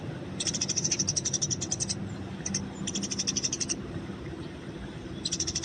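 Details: Fighting Eurasian tree sparrows, wild, recorded for training: bursts of fast, high, buzzy chirping with quiet gaps between, a faint low murmur in the background.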